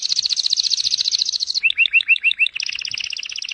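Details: Canary singing actively, recorded as a master song for tutoring other birds: a fast high buzzy trill, then a few slower swooping whistled notes, then another rapid rolling trill. The background is quiet.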